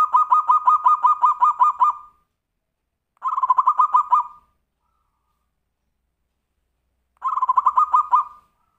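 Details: Zebra dove in tumpang sari song style, used to prompt other birds: rhythmic strings of evenly spaced, rolling coos, a long two-second run followed by two shorter runs after pauses.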